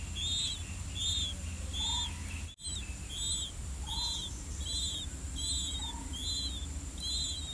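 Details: Two older blue-winged pitta chicks in the nest call while waiting for parents to bring earthworms: thin, high arched notes about every 0.7 seconds, fainter higher notes and an occasional lower short whistle over a steady low hum.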